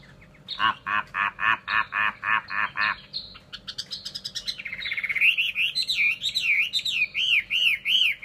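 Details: Chinese hwamei: a run of about ten harsh, nasal repeated notes, then rapid chatter leading into loud, looping whistled phrases rising and falling in a regular wave.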